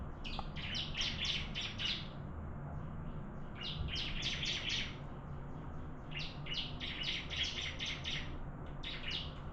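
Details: Bar-winged prinia singing in a contest: three bursts of quick, buzzy high-pitched notes, each burst lasting about two seconds with brief silent gaps between, set against a steady low hum.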